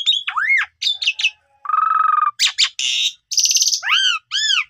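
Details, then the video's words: Asian pied starling lure song to get a young, silent bird singing its full mimicked repertoire. A rising-falling whistled slur and twittering notes lead to a buzzy held tone, harsh rasps, a trilled burst and two arched whistles. "Pancingan Jitu 1 Menit !! Jalak Suren Paud Macet Tidak Mau Bunyi Langsung Gacor Bongkar Isian"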